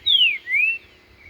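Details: Green-winged saltator in the wild: two rich whistled notes, the first sliding down steeply, the second rising then easing off, followed by a faint trailing whistle.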